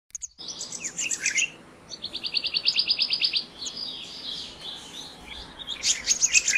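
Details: Black-naped monarch singing a fast, even run of high ringing notes in its middle stretch, with chirps and twitters from other birds before and after.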